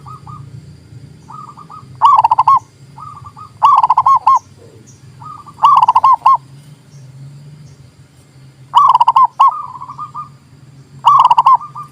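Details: Zebra dove song to rouse silent doves into answering: loud bubbling coo phrases repeated irregularly, interleaved with softer replies from another dove, over a steady low hum.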